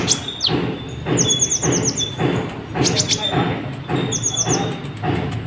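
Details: Sunbird, known locally as kolibri ninja, singing continuously to stir other birds into song: rapid runs of high, sharp chirps and bright whistles in repeated bursts, over recurring low thudding knocks.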